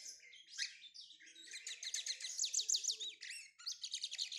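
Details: Lined seedeater (bigodinho) warming up. It sings a rapid, high-pitched run of chirps and trilled, slurred notes, repeated about three times a second. The phrase pauses briefly and then resumes with quick chips.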